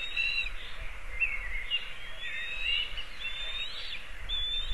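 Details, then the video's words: Black kite (Milvus migrans) at a nest in a linden tree in Kurzeme, Latvia, 29 May 2023 around 16:02, giving thin, wavering whinnying whistles, quavering up and down and repeated throughout, over steady low wind rumble. "Melnās klijas (Milvus migrans)"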